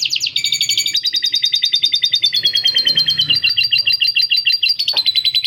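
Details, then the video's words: Caged canary's long, continuous song with lovebird 'ngekek' phrases worked in. Dense high rapid trilling runs without pause, with a sustained whistled line gliding slightly downward. Ticking and faint background noise. "Kenari Gacor Panjang Isian Lovebird Ngekek PALING JERNIH⁉️ Canary Singing"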